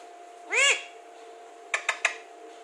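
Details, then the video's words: Talking Alexandrine parakeet: one loud, harmonic, word-like utterance, followed after about a second by three short, sharp clicking sounds in quick succession, over a low steady hum. "Alexander talking parrot | World best talking parrot |बिल्कुल साफ बोलता है तोता"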